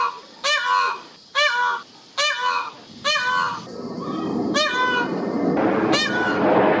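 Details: Peacock calling repeatedly: loud, honking harmonic wails roughly once a second, then rumbling noise and a droning background that grows louder toward the end.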